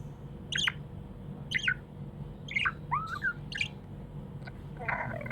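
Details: Happy budgie chirping: sharp chirps repeated about once a second, a curling warbled squeak in the middle, then a rough chattering burst at the end, low hum in the background.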